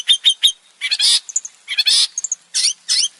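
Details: Varied male long-tailed shrike song: three quick high chips, then harsh, noisy rasping bursts alternating with thin squeaky notes, in an uneven, jerky rhythm.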